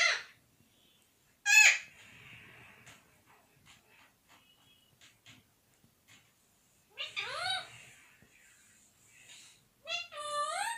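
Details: Parrot speaking "mithu mithu radhey radhey" and whistling: a sharp note, then a sudden loud squawk followed by faint soft clicks, then repeated rising whistled glides and short speech-like calls near the end.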